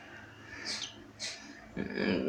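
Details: Cockatiel in Belo Horizonte giving two short harsh screeches about half a second apart, followed by a rougher broadband scraping noise, with low room hum throughout.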